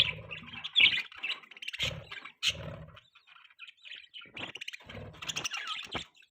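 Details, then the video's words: Pet budgerigar chirping and warbling in irregular bursts of scratchy, buzzy chatter mixed with squeaky chirps, with brief quiet gaps between phrases and some low rumbling background noise. "Budgie Chirping Sounds | Budgie Singing Sound | Budgie Beautiful Voice"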